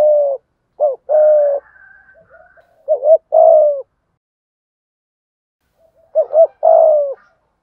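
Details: Spotted dove kept as a decoy bird, giving the urging "thúc gù" coo in the "giọng thổ" voice style. Low, hollow coos come in two phrases: a short note, then longer drawn-out coos, with a three-second silence between them.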